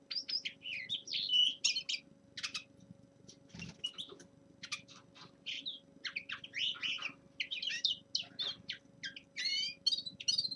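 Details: Young male common linnet during a warm-up song. Rapid, varied twittering and short buzzy notes come in bursts, over a steady low electrical hum.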